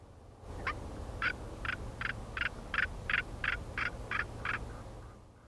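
White-quilled Bustard giving a harsh, raucous series of about ten grating notes, roughly three per second, over a steady low hum.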